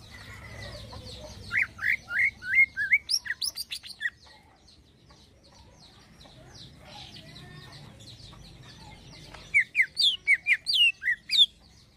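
A greater green leafbird sings two quick bursts of bright, sweeping whistles, about a dozen notes each, high-pitched and slurred, with soft chattering and faint background hum between.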